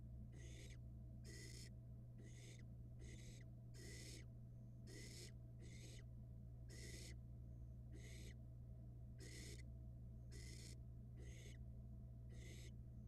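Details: Barn owl nestling, watched by a Florida nest camera as it downs a rat, repeats short, rasping hisses in a quick, slightly irregular series, about a dozen in total, over a constant low hum.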